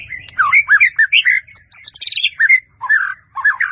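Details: White-rumped shama in a varied, melodious training song: fast warbled and whistled notes, looping slurs, a buzzy high trill near the middle, then lower rolling phrases separated by short gaps; faint low rumble in background.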